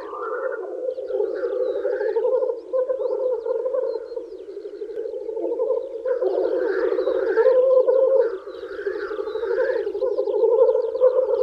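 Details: Lekking male black grouse in spring wooing females, giving a throbbing, bubbling cooing chorus that never pauses, with repeated harsh rising hiss calls in the second half and faint twitters above.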